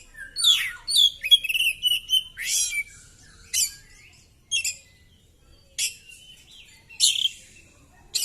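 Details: Oriental magpie-robin in fighting mood, spreading its tail and pouring out its repertoire: loud varied phrases of rich slurred whistles mixed with harsh buzzy bursts, then spaced scratchy notes about once a second.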